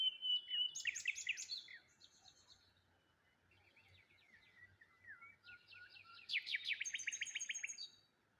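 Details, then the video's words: Dense bursts of high chirping and trilling from birds in the morning by the water near a solitary tree, loud at the start and again near the end with a quieter stretch between. "Morning Birds Sounds"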